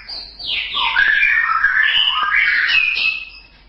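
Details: Continuous warbling song of a white-rumped shama from a songbird tutor recording, full of fluid whistles that glide up and down without pause for about three seconds.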